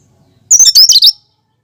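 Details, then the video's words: Natural song of a cucak kinoi, free of mimicry, used as a lure for other birds. A brief, bright phrase of rapid, twittering, high squeaky notes, about six in a row, then silence. "Suara asli cucak kinoi"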